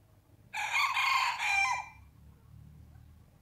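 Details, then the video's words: A single rooster crow, loud and raspy, lasting about one and a half seconds with a brief dip near the middle and a falling tail, followed by quiet low background hum. "Gjeli duke këndu(rooster crowing)"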